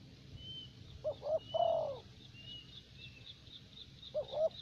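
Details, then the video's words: Spotted dove decoy in Vietnam, a thổ bầu bird used for luring; one phrase of two short coos and a long drawn coo, then a second phrase beginning, with faint high chirps from another bird in the background. "Terkurkur លេងបានល្អបំផុតនៅវៀតណាម។"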